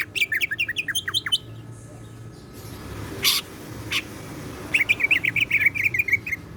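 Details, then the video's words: Greater green leafbird, a kept bird in full song loaded with cyclone-style mimicry, gives rapid series of short whistled chirps near the start, a sharp burst midway, then a fast repeated trilling run of bright notes at the end; steady low hum beneath. "BURUNG CUCAK IJO GACOR ISIAN SIKLON"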